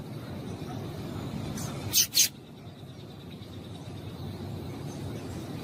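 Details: A female double-collared seedeater calls to rouse males into song. A quick pair of high, sharp chips sounds near the middle, and quiet background hiss fills the rest.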